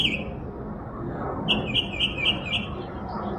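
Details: A backyard bird known for more than 20 different sounds opens with a single chirp, then after a pause rattles off a quick run of about six similar bright notes, roughly four per second.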